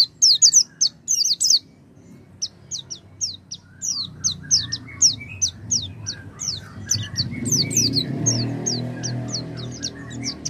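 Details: Oriental white-eye singing, a sound played to prompt a silent white-eye to sing: a long run of rapid, high-pitched descending chirps that are slightly buzzy, with soft lower twittering and a rising background rumble in the second half.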